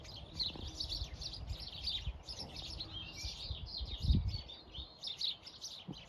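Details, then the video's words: A flock of house sparrows chatters nonstop in a hedgerow on a regenerative farm in County Kilkenny, Ireland: many overlapping bright chirps and cheeps, with low rumbling wind and handling bumps beneath. "Listening to a flock of house sparrows as they chitter chatter in the hedgerow."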